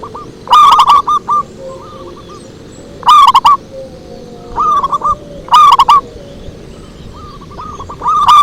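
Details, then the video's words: Zebra dove lure song (pikat): strong rippling coo bursts about every 2.5 s, each followed by softer staccato coos, with fainter phrases filling the gaps. "Suara Merdu PIKAT PERKUTUT"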